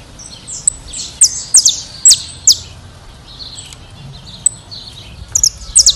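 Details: Brazilian saffron finch song: bursts of high, sharply dropping chips, a group of four or five, a quieter stretch of soft notes, then another cluster.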